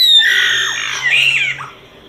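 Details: Solitary cacique song phrase: a loud, drawn-out harsh note that slurs down, followed by a wavering squealing slide that fades away.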